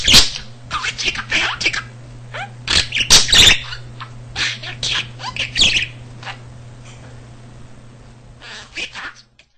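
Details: Indoor male pet budgerigar that picked up almost 300 words and sentences naturally; busy bursts of shrill, squeaky chatter and clicks for about six seconds, then softer scattered chirps trailing off over a low hum.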